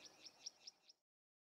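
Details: Karoo prinia calling near Kleinpoort, southern Karoo: five sharp, high chipping notes, about five per second, in a brisk one-second burst before it falls quiet.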